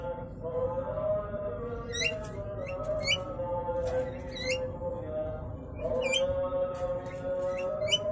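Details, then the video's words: Old male Javan myna asking to mate, courting a young female that rejects him; short harsh rising squawks come in bursts every second or so over a steady, droning, music-like backing hum. "Jalak Kebo Tua Minta Kawin"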